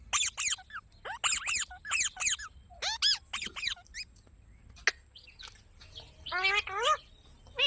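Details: Green parrot giving bursts of sharp, harmonic chirps that sweep up and then down, in quick clusters separated by short pauses, ending in a faster run of wavering notes against a quiet background.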